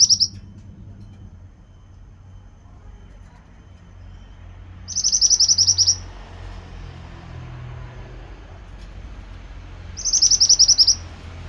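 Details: Pied bushchat singing in regular bursts, each a rapid chatter of about eight high, clipped notes lasting about a second, recurring roughly every five seconds over soft low rumble.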